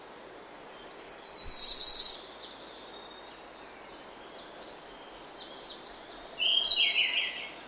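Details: Early-morning oak woodland with a Grey-backed thrush singing a bright, rapid phrase, then a lower fluty, trilled phrase about five seconds later, under a constant shrill insect hum.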